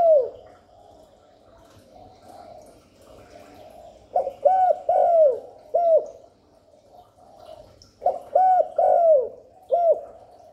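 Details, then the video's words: Spotted dove coos used to bring in wild doves and stimulate fresh captives. After a quiet stretch, two phrases of a short note, two mellow arched coos and an extra trailing coo, around four seconds apart. "Chim cu đất, cu cườm gáy gù thúc kéo bổi về tàng, cu gáy kích bổi mới nuôi"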